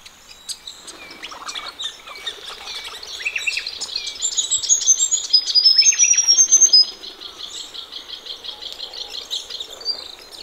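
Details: Several ring-necked parrots washing in a pond on a cool sunny morning in Australia: scattered high chirps build into a dense, rapid chatter of squeaky whistled notes, then fall back to quicker, softer chirping.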